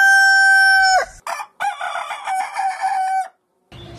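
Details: Cockerel crowing: a clear, sustained, ringing note of about a second, then choppy syllables and a long, hoarse, wavering crow, ending in silence and faint low rumble.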